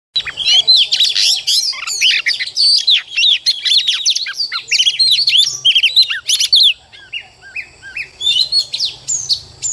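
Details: Female Oriental magpie-robin singing to stir up males: a dense, rapid run of loud, varied whistles, chirps and sharp sweeping notes in quick bursts, briefly pausing near the end before resuming; faint low hum beneath.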